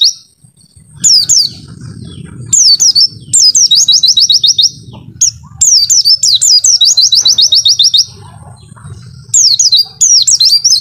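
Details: Oriental white-eye, a kept songbird, singing in a clear high voice: bursts of rapid descending whistled notes, repeated many times with short pauses, over low background rumble.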